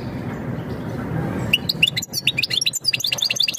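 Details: European goldfinch giving mating calls meant to prepare the female for breeding: after about a second and a half of low background rumble, a fast, bright twittering begins, made of liquid chirps and short slurred notes.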